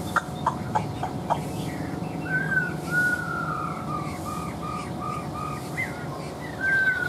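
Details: A moulting Chinese Hwamei, caged for over two years, sings a run of clear, slurred whistles, some falling in pitch and repeated in short phrases, over a low background rumble with a few clicks at the start.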